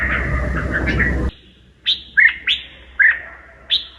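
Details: A loud burst of noise ends abruptly, then a Red-whiskered bulbul sings short, sharp whistled notes that drop and flatten out, about one every half second, in a quiet setting.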